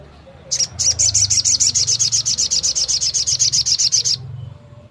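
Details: Long-tailed shrike delivering the 'nembak' song meant to excite other shrikes into singing: a loud, sustained rattle of about thirty-five rapid, very high harsh notes lasting nearly four seconds, with faint low hum beneath.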